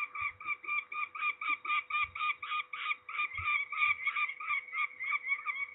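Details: Peregrine falcon during ringing at Trzebież, Poland, 13 May 2019: a clear, rhythmic chain of harsh cackling notes, nearly four each second, with only faint scattered knocks in the background.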